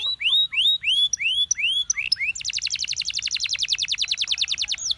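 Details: Male Belgian canary song, played to encourage other canaries to sing: rising slurred whistles repeated about three per second, then a long quick trill of sharp notes.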